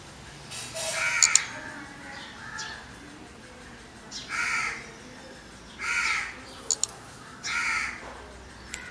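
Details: Crow calling: harsh, hoarse caws spaced about every one to two seconds, some short and clipped, others drawn out, over a quiet outdoor background with faint clicks.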